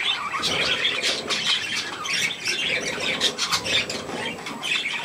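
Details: Budgerigars with their young, given millet, in a steady chorus of overlapping high chirps and squeaky twitters with no pause, several birds calling at once.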